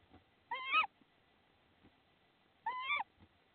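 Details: Tawny owl at its nest in Estonia on 10 April 2016, bringing prey. Two harsh, wavering calls with strong harmonics, each lasting about a third of a second and about two seconds apart, with quiet surroundings.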